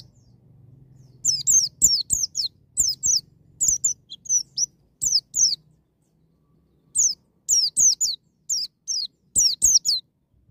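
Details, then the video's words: White-eye in the wild style, sung to provoke a young bird into opening its beak and singing: high, thin notes sweeping down in quick bursts of two to four, pausing between bursts. "BURUNG PLECI NGALAS NEMBAK,MEMICU PLECI BAHAN CEPAT NGALAS BUKA PARUH"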